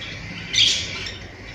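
A cockatiel chick gives a harsh, raspy hissing burst, begging as a parent feeds it.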